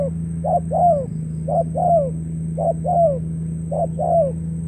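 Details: Trapping lure spotted dove in Cà Mau, Vietnam, dated 21 February 2024. It gives steady paired coos, a short hoot and then a longer descending note, with the pairs repeating about every second. A low steady hum sits beneath.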